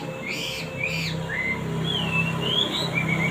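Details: Male wambi singing actively, two upslurred whistles followed by longer wavering, sliding whistled phrases, over a noticeable low droning hum.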